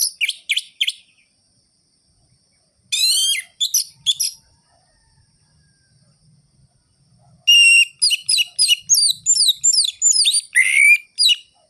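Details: Orange-headed thrush in full ngerol-ngeplong song, played to spur lazy birds into singing: short clipped notes, a pause, a burst of sweeping whistles, then a long dense stretch of rapid, varied whistled phrases.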